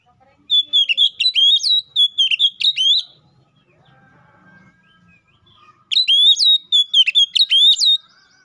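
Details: Oriental magpie-robin in full, loud open-voiced song, calling a rival, used to prompt other magpie-robins to sing: two bursts of rapid, sharply bent whistled notes, each about two and a half seconds long, separated by near-silence.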